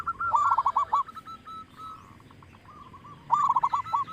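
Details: Loud-voiced local zebra dove used as a singing lure: two bursts of quick, bubbling coos, one at the start and one near the end, with softer single notes drifting between them.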